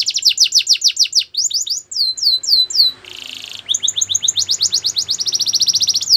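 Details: Canary singing fast phrases of falling chirps, slower drawn-out sweeping notes, a brief buzzy rolled passage, then quick repeated chirps building into a rapid trill; faint low hum in the background.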